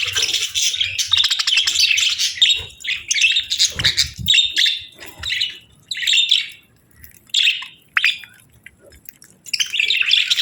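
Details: Two budgerigars during breeding season bonding with long stretches of busy, buzzy warbling and twittering, broken by short quiet gaps and isolated chirps.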